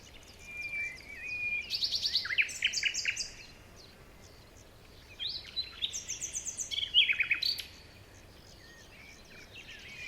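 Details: Birds chirping in a forest in the morning: two bursts of rapid, high, sharp chirps and trills, one early and one later, separated by a quiet stretch with soft background noise.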